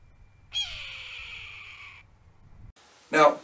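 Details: Red-tailed hawk caught on a trail camera giving its call, described as a shriek: one drawn-out harsh, slightly descending scream lasting about a second and a half, followed after a pause by a short loud burst of noise.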